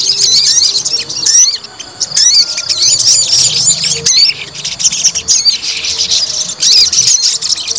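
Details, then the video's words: Fighter white-rumped shama, provoked, delivering fast varied phrases of high whistles, rising and falling slurs and scratchy chatter, continuing steadily with brief breaks. "PANCING EMOSI TES MENTAL FIGHTER SOGON"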